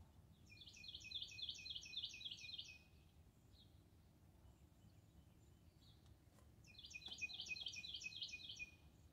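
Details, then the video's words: Cardinal singing on 4 February 2021: two bright, rapid trills of repeated high notes, each about two seconds long, over a soft low background hum. "Birdsong, Cardinal"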